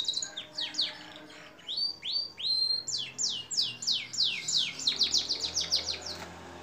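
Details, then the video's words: Canary singing in a long-duration masteran recording meant for training songbirds, steep falling notes repeated about three times a second, quickening into a denser, sharper trill near the end. "Masteran kenari durasi panjang"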